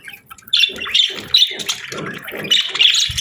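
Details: A budgerigar pair in breeding season chirps in bursts of buzzy, warbling notes between about 2 and 4k, starting after a quiet half second and running in uneven phrases with soft low thumps beneath.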